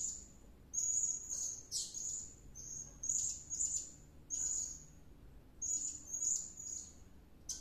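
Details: Blue-crowned hanging parrot (serindit) singing gacor after coming back from luring: steady sequence of high, thin, squeaky whistles, each under a second, repeated in clusters with short breaks.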